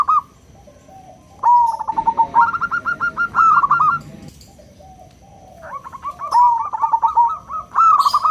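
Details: Small local zebra dove singing loudly in the 'crystal' style to provoke other doves: a long low coo leading into a string of crisp clipped notes, a pause, then another bubbling fast run.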